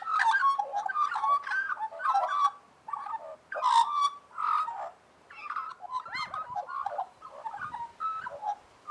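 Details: Australian magpies warbling together, rich overlapping fluty and gurgling phrases rising and falling in bursts, with short quiet gaps between rolling passages.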